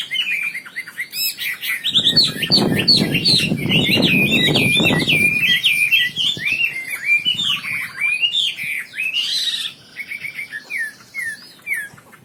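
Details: Wambi bird singing a long, varied, high-pitched medley of quick chirps, twitters and slurred whistles, while a low rumbling noise sounds underneath for several seconds near the start.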